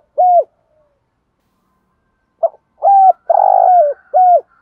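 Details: Caged decoy spotted dove being trained, giving low, hollow, evenly pitched coo notes: a single coo, a pause, then a short clipped note and a quick series of three coos with a rolling, tremulous note in the middle. No other sounds.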